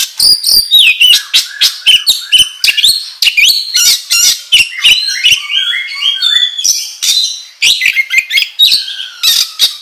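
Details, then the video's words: Kacer, or oriental magpie-robin, in frenzied 'ngobra' song meant to lure and stir other magpie-robins: dense rapid sequence of harsh rasps, clicks and varied whistles, some phrases stepping up and down in quick ladders. "Pancingan Kacer Gacor Ngobra Menggila"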